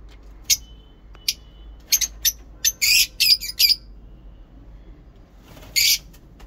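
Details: Lovebird in heat in its ngekek chatter: brief, sharp squeaks and short raspy bursts, clustered in the middle and repeated again near the end, over a steady low background hum.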